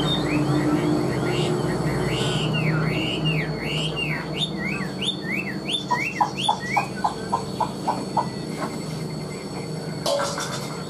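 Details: Chinese hwamei in a cage delivering a string of arched, ringing whistles, then a rapid rhythmic series of sharp clicks, ending in a burst of noise. Music plays softly behind.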